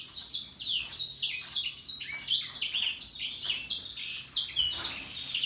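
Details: Russian yellow canaries and Timbrado canaries sing happily, an unbroken, lively chain of high, sharply downslurred whistled notes repeated many times a second, with faint low hum beneath.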